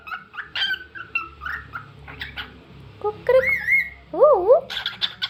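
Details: Cockatiel singing indoors, mixing short chirps with longer whistled notes, including a sustained high whistle and a wavering, warbling phrase that rises and falls, then ends with clipped bright chirps.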